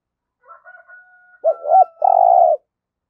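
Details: Captive spotted dove kept as a decoy for trapping, cooing in the 'giọng thổ' style. A few soft, low notes lead into a loud phrase: two quick dipping coos, then a long, steady, throaty coo. The background is quiet.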